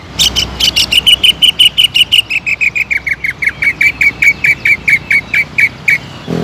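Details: A singing greater green leafbird, played to excite rival birds into singing at once. A long, steady series of clipped high notes, about four a second, slowly dropping in pitch.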